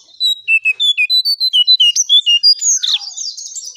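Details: Striped tit-babbler lure song: a fast run of roughly sixteen clear whistled notes that shift up and down in pitch, ending in a harsher rising squeal and a short chatter.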